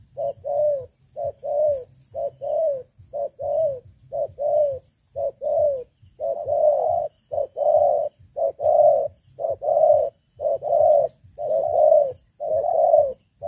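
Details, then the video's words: Spotted dove, a long-kept decoy bird noted for its big voice, giving loud, hollow low coos in steady phrases of short notes, roughly one per second, throughout; quiet room, no other sounds. "Terkukur Pikat Lama, Selalu ok Suara besar"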